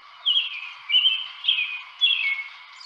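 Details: American robin, Michigan's state bird, singing in spring or summer: four short, clear whistled phrases, each slurring downward, given about every half second with brief pauses between.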